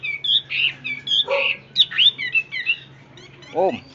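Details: A caged hwamei gives ôm cóng song, a varied run of loud whistled and slurred notes with quick upward sweeps. A short lower, harmonic sound like a human voice comes near the end, over a constant low hum.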